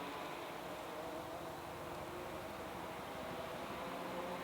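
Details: Only steady broadband hiss with a low hum, like distant traffic, is heard throughout; no bird calls.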